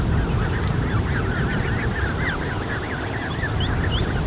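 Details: A creche of more than thirty Canada goose goslings, 34 counted a few weeks earlier, recorded 13 June 2015, peeping constantly in overlapping wavering high notes, many birds at once, over a low rumbling background.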